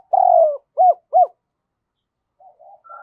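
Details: Lure spotted dove calling to draw in wild doves: one long, slightly falling coo followed by two short arched coos, then quiet, with faint soft notes near the end.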